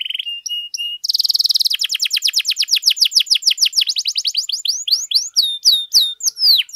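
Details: Energetic canary, its song used to teach and stir other canaries to sing: short flat whistles, then a dense buzzing roll flowing into a long series of rapid high swept notes that gradually spread out.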